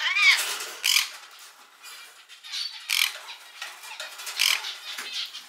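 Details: Pet rainbow lorikeets at home, talking while stepping in to stop a fight and copying the owner's catchphrases: a string of rasping, scratchy screeches in uneven bursts with brief quieter gaps.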